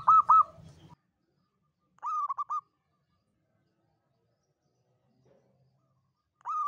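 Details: Local zebra dove lure call for trapping, distinctive long 'kuk' rhythm: clipped cooing phrases of several quick notes recur every two seconds or so, the first overlaid by a brief low rumble, the last cut short.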